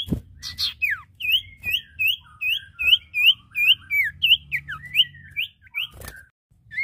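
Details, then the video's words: Iora (cipoh or sirtu), male and female, deliver a steady run of sharp, slurred whistles, about two or three each second, some dipping lower, in a quiet setting. "Suara Burung cipoh/sirtu jantan dan betina gacor!"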